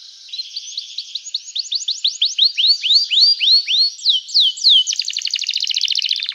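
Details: {'text': 'Energetic canary song, used to spur silent canaries into singing. A fast trill leads into loud upward-swept whistled notes about three per second, then a rapid dry buzzing roll at the close.'}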